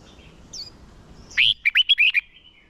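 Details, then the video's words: Red-whiskered bulbul decoy singing to lure and train birds for contests; after faint high twitters, one crisp burst of five or six bright, rolling whistled notes. "Chào mào mồi hót đấu gọi bổi căng lửa, luyện chào mào sổ giọng hót đấu căng"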